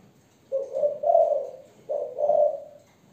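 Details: Young female spotted dove of Malaysian type in thổ voice: two mellow, hoarse coo phrases about one and a half seconds apart, each a short note leading into a longer, slightly falling coo.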